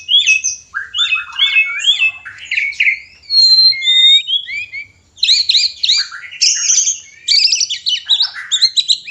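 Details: White-rumped shama breeding song meant to bring a reluctant caged bird into mating condition: high, fast sequences of repeated whistled motifs and crisp chirps, a brief lull midway, then renewed bright trilled phrases.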